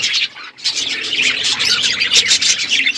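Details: A group of budgies fills a winter morning with loud, high warbling and squeaky chirps, one short gap early on, otherwise nonstop chatter.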